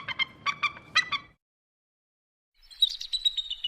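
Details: Eagle calls played to scare birds: two bursts of short, harsh, harmonic notes given in quick pairs, then a gap of silence and a higher, thinner chattering series.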